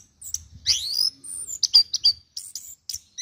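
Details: Orange-headed thrush kept in a cage and praised as a good competition winner, giving a sweeping rising whistle followed by quick clipped high notes and short trills with brief pauses.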